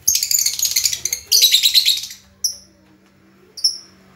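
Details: A lovebird, noted for its distinctive chirping, pours out rapid shrill chatter in two bursts of about a second each, followed by two isolated thin, high chirps after longer pauses.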